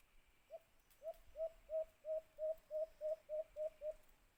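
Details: Eleven short, low hoots from a white-eared brown dove in a cage-trap hunting setting, starting soft and quickly settling into a steady, strong, even rhythm.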